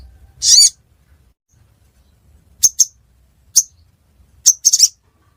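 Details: Ruby-cheeked sunbird in Pidie, Aceh, with one full high buzzy note followed by scattered short, sharp, high ticks and a closing double chip.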